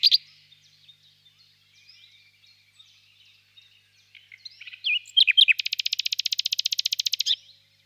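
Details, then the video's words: Quiet, scattered soft notes from a nightingale in a spring birch grove at evening build into a loud, rapid trill of identical pulses that runs for about two seconds before stopping. "Пение соловья"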